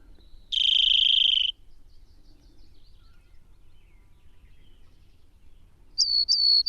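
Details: Rock wren (Salpinctes obsoletus) singing from a rock high on a mountain road in southeastern Arizona's Madrean Sky Islands. It gives a dense, buzzy trilled phrase of about a second, waits several seconds, then starts again with quick, bright repeated notes.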